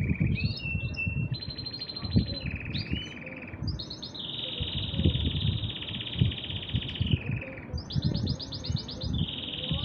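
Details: Two male canaries take turns singing nonstop, delivering long sustained rolling trills, each held for one to three seconds before switching abruptly to a new pitch, over a constant low background rumble.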